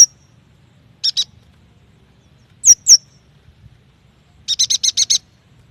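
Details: Yuhina lure recording for getting young or reluctant birds to sing: a short high note, a pair of buzzy chattering notes, two sharp descending whistles, then a fast run of six harsh stacked notes.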